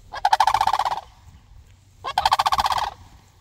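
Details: Two loud rattling crane calls a second apart, each a rolling burst of rapid pulses, from sandhill cranes answering a person.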